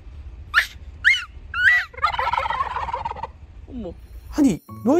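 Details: Domestic turkeys at a safari zoo answer a Jindo dog's voice: three short arched whistled notes, then a fast bubbling gobble rattle for over a second, and then falling yelps. A low steady hum runs underneath.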